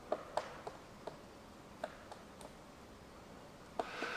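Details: Faint, distant pecks of a Magellanic Woodpecker foraging high in a tree in Patagonia National Park, southern Argentina: about eight irregular sharp knocks in four seconds, with a thin high whine throughout and a rustle at the end.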